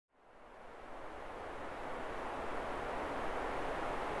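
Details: A steady roar of wind or engine-like noise swells over the first second and then holds, with no animal voice standing out.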